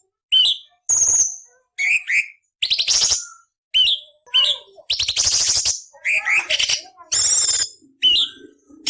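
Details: Cucak cungkok singing rough variations as a training model for murai, cucak ijo and kacer: short rising whistles, paired slurs and coarse grating bursts in an irregular series of about twelve phrases.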